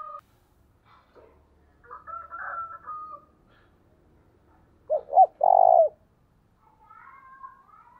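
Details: Spotted dove cooing at dawn to call in wild doves, 'thổ đồng' voice: two brief hoots and a long tremulous coo, with scattered whistles and chirps from other birds before and after.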